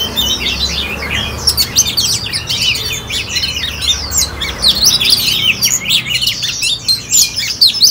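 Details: Oriental magpie-robin, a one-season bird from Ho Chi Minh City, Vietnam, recorded 18 April 2021, singing a dense, continuous stream of varied high whistles, chirps and quick slurred notes, with a faint low hum beneath.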